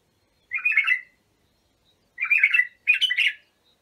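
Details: White-eared bulbul, Abu Shuaib song style for teaching young bulbuls: one short bubbling phrase, a pause of over a second, then two quick fluty phrases in succession, quiet background.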